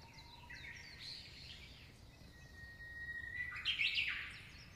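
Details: Australian magpie from a family raising chicks, singing a fluty warble: a long steady whistle, then a rising, gliding run of mellow notes ending in a bright, loud flourish, with faint outdoor background noise.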